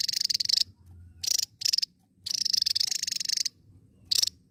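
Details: Vigorously singing Javan tesia: dense, rapid buzzy trills at high pitch in bursts of varying length, one long run followed by short clipped phrases, separated by quiet gaps.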